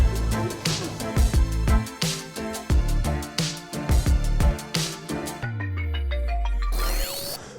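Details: Only music is heard: a steady, bass-heavy electronic beat with bright chiming tones and a swelling synth sweep near the end.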